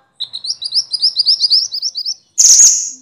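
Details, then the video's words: A minivet (Javanese mantenan, Indonesian sepah) gives a quick, steady string of about fifteen thin, upslurred whistles, then a single harsh, hissing burst. The recording is training audio for songbirds. "kumpulan suara burung mantenan (sepah) ribut!!"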